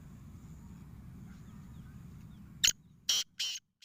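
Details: Black francolin (Francolinus francolinus), call.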